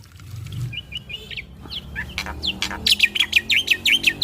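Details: Male black-winged starling, kept bird, singing a master song used to trigger other starlings: soft wavering warbles and whistled slurs building into loud, rapid, harsh chattering phrases repeated several times a second; faint background hum.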